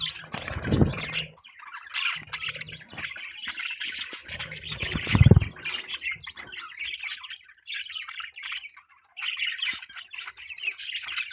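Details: Pet budgerigars chirping. Busy, high warbling chatter runs in bursts almost throughout, with scratchy trills. Loud low thumps and knocks from cage movement break in, strongest near the start and middle.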